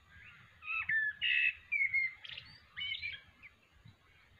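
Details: Blackbird in Australia rehearsing its song one afternoon, giving a string of rich, flute-like warbled phrases with short whistled slides, separated by brief pauses, in a calm outdoor setting.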